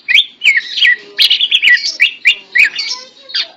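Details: Tame, talkative greater green leafbird singing while held in the hand: a rapid stream of varied whistled notes and chirps, sliding up and down, with short bright bursts about three a second.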